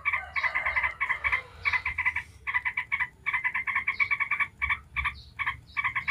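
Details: Yellow-vented bulbul lure song in 'ngebren' style: rapid chattering runs broken by short gaps, mixed with occasional higher, sharper squeaks.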